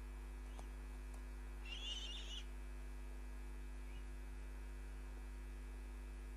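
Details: Osprey at its nest, recorded from a live nest camera on 29 June 2010: one short burst of high, thin whistled chirps lasting under a second, over a steady electrical hum.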